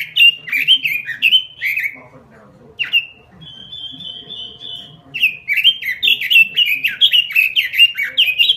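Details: Robin singing in gacor style: rapid ringing whistles, a quieter gap with a long, even high-pitched note, then a fast, lively string of chirping phrases to the end.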